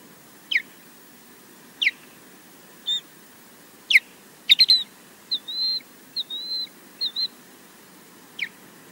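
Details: Osprey at its nest at Loch Garten, Scotland, on a live nest camera, defending the nest alone against a distant intruder. Sharp, high whistled calls sweep downward, spaced one to two seconds apart, with a burst of short, level piping whistles in the middle.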